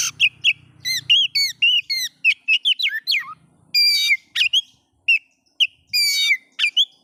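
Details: Oriental magpie-robin song meant to provoke other magpie-robins: rapid varied whistled phrases, rising and falling slurs mixed with harsh buzzy bursts, delivered in quick succession with short gaps.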